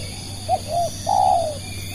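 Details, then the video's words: Spotted dove luring others with one crisp phrase: a clipped first coo, a rounded second coo and a sustained, bright final coo that drops away gradually. "burung tekukur pikat"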